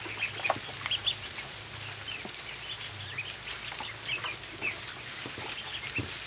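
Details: A flock of ducklings in a barn during feeding, producing sharp, high peeps in irregular clusters among clicks and pecking sounds, with a faint low drone.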